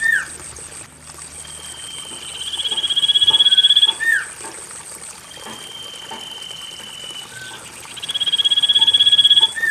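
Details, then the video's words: Common iora song played to prompt sluggish caged birds to sing, with a trickling water backdrop: fast pulsed high trills swelling in loudness, each ending in a quick downward whistled slur, with softer level notes between them. "Pancingan cipoh malas bunyi"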